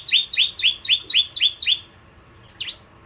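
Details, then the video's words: Energetic Prenjak Jawa, or bar-winged prinia, used as a lure for ciblek kristal: seven quick, high, ringing down-slurred chirps, then silence and one softer isolated note near the end. "Burung Prenjak Jawa Gacor Pancingan Ciblek Kristal"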